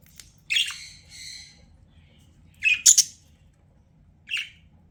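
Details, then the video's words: Pet budgerigar giving a harsh squawk followed by a softer drawn-out note, then after a pause a pair of loud scratchy chirps and one last short chirp, with a quiet low hum behind. "CUTE BUDGIE SOUNDS"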